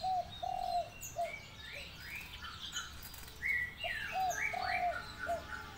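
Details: Spotted dove giving low, hollow coos in short phrases at the start and again near the end, a long note trailed by brief ones, while other small birds chirp and whistle brightly over it.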